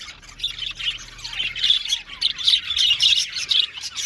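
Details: Budgies in an aviary colony, a busy chorus of many overlapping chirps and warbling chatter, steady and high, with no pauses.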